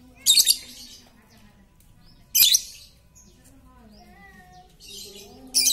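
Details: Very talkative lovebird meant to prompt quiet lovebirds to sing: loud raspy shrieks repeated roughly every two seconds, with soft whistled notes and chirps in between.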